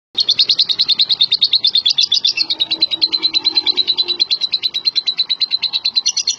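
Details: Champion contest lovebird singing a long unbroken chattering trill, rapid high buzzy chirps pulsing about three times a second, steady and loud throughout.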